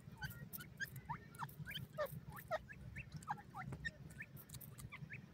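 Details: Forest francolin chicks peep throughout: thin, hooked chirps that rise and fall, repeated irregularly every fraction of a second, with a constant low hum and occasional clicks beneath.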